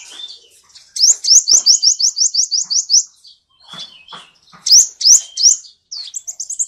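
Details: After a soft start, a sunbird bursts into a rapid even series of about a dozen thin upslurred chirps, then pauses and adds a few louder single zips and short twitters, all noise-free.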